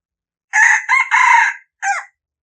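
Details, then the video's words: Red junglefowl crow, clear and loud: three harsh joined syllables followed after a short pause by a final falling, drawn-out note, in an otherwise silent setting. "suab lau qaib dib qua zoo เสียงไก่ป่าขันม่วน"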